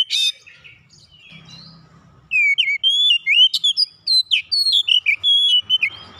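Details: Oriental magpie-robin (kacer) lure song for prompting silent birds to sing: after a brief opening note and quiet gap, a rapid run of bright whistled, sliding phrases with sharp upward flicks fills the last four seconds over a faint low hum.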